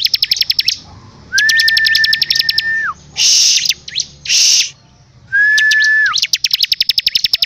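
Bar-winged Prinia song: fast runs of high, dry ticking notes, two long steady mid-pitched whistles, and bursts of harsh, buzzy rasping.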